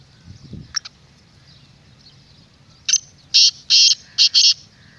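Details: Black francolin calling to lure wild birds: after faint low noises, one loud series of four or five harsh, buzzy grating notes; background hum.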